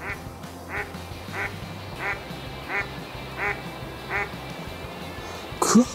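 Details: Eastern spot-billed duck (Anas zonorhyncha) at a park pond, possibly part of a group that gathered at Odaiba Seaside Park in October–November (speaker's guess), giving short nasal quacks about every two-thirds of a second over soft music, with a brief clatter near the end.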